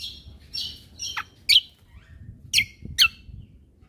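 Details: Cucak kombo singing, for use in training caged birds, late 2022: thin high whistles, then loud, sharp, downward-slurred notes at intervals of about half a second to a second.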